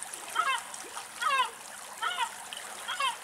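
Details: European herring gull (Larus argentatus) gives four harsh, wavering mewing calls, each dipping in pitch, spaced just under a second apart, over soft watery hiss; feeding on a large mullet in shallows at Axios Delta National Park, Thessaloniki, Greece.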